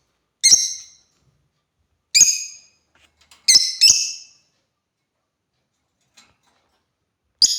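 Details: African lovebirds call with five harsh, high chirps at irregular intervals, two coming close together in the middle.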